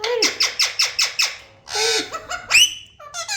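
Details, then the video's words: Pet parrot calling indoors: a series of six quick descending squeaky notes, then a longer harsh squawk, a sharp rising shriek and a few short nasal notes. "parrot sound is beautiful"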